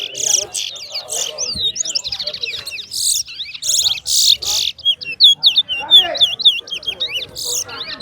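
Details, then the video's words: Towa towa, the large-billed seed finch, in a singing competition, delivering rapid rising and falling whistled notes in quick bursts, mixed with harsh noisy crackles and faint talk in the background. "TOWA TOWA BIRD SINGING COMPETITION"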